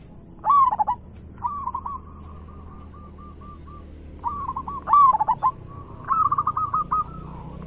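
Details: Zebra dove, a local bird with a big voice, singing: loud bursts of rapid stuttered coos alternating with softer evenly pulsed trills, a steady high whine entering partway.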